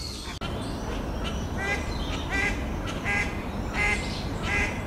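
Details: Mallard drake and hen calls, a series of nasal quacks spaced under a second apart over steady low background noise.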